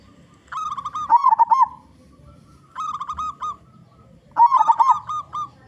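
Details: Loud-voiced local zebra dove singing as a lure for other zebra doves: three cooing phrases, each a run of short staccato notes breaking into a fast rolling warble, spaced about two seconds apart.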